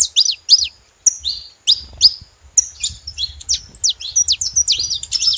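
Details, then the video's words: Free saffron finches in nature: several separate sharp, down-slurred chirps with short gaps, then a quickening burst of tumbling high notes. "canarinhos da terra livre na natureza"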